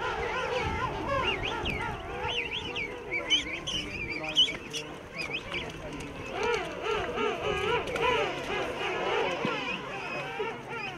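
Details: A dense chorus from a huge king penguin rookery of thousands of breeding pairs and their chicks on Salisbury Plain, South Georgia, with many overlapping wavering, trumpeting calls blending into a constant colony din; the finding is king penguin.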